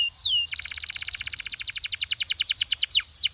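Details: One downslurred whistle, then a fast, even rolling trill of sharp repeated notes that grows louder over about two and a half seconds, from a canary's training song.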